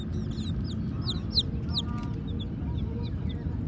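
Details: Black and white baby chickens chirping: a quick run of high, downward-slurred peeps, several chicks calling at once, over a constant low rumbling hum.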